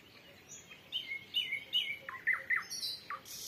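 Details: Three nightingales answering one another at sunset in dead calm, early June 2023, Volga region, rural Russia: clear whistled notes and short slurred phrases delivered in quick succession, some dropping sharply in pitch, over a quiet background.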